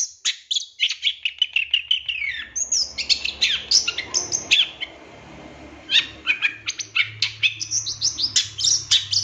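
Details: Long-tailed shrike song used to train captive birds, packed with imitated phrases: rapid high chattering and sharp chirps, a short pause mid-way, then more dense, varied twittering over a faint low hum.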